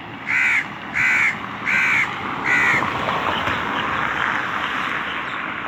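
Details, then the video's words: Four rasping crow caws spaced roughly 0.8 seconds apart, then continuous broadband background noise. "Crow call | Crow sounds | Crow sound effect"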